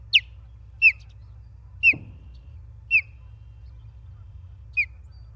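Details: Osprey calling from its nest in Charlo, Montana, 28 August 2023, on a live nest camera: five or six piercing, falling whistles at uneven gaps of roughly a second, with a soft thump after the second call and a low background hum.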